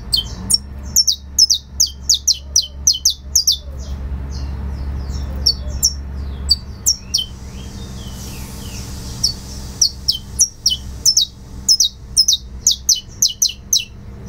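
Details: Song of a saffron finch in the style called fibra: dense volleys of piercing high notes, a quieter stretch with soft sliding whistles midway, then renewed rapid chipping; low background hum.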